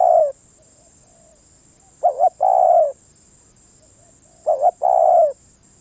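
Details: Spotted dove: the tail of one coo, then two full phrases about 2.5 seconds apart. Each is a quick stuttered coo and a longer soft drawn-out note. A thin high whine is continuous.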